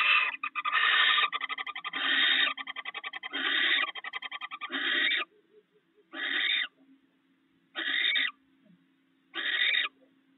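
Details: At a nest where a male barn owl brought rats for his mate, harsh screeches alternate with fast rattling clicks, then three separate rasping screeches about one and a half seconds apart.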